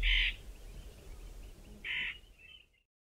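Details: White-fronted bee-eater, a very vocal bird, giving two loud, short, nasal calls about 1.7 seconds apart, with softer, fainter calls in between and a low background rumble throughout.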